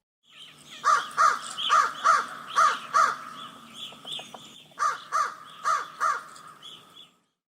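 A crow gives harsh, nasal caws: a run of six evenly spaced calls, a few softer notes, then four more in quick succession.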